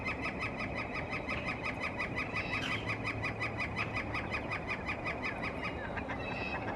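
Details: Northern flicker calling in spring to establish its breeding territory from the top of a tree: a long, fast, steady series of identical sharp notes running without pause, over constant low background noise.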